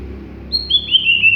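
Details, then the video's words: Greater green leafbird, a raw bird not yet in full song: a short run of four clear whistled notes, each sliding downward, stepping lower in pitch, over a faint low hum. "Cucak Ijo Bahan Belum Ngentrok"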